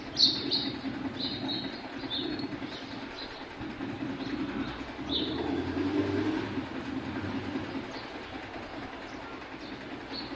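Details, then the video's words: House sparrows chirping while bathing: short, bright chirps in loose bursts over the first half, fading later, over a steady rumbling, splashing background noise. "House Sparrow Chirping Sounds While They Enjoy Their Bath"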